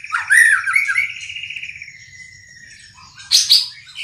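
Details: White-rumped shama arranging its song: a loud rolling whistled phrase sliding slowly downward, a quiet pause, then two sharp high bursts near the end.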